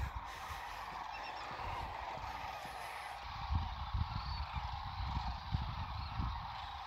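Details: Tens of thousands of Sandhill cranes calling at sunrise at Whitewater Draw, Arizona, in winter before the morning fly-off; a dense, continuous roar of rolling calls fills the air, with low thumps and handling noise.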